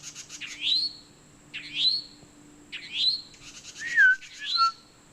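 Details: Towhee giving a mating call in woods, calling to its mate before the pair meet in a tree: four rising, slightly buzzy notes about a second apart, then another bird's downslurred whistle joins over a faint steady hum.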